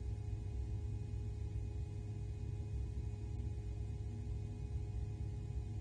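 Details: A deep continuous rumble with steady electrical hum lines, and no bird or other animal sounds.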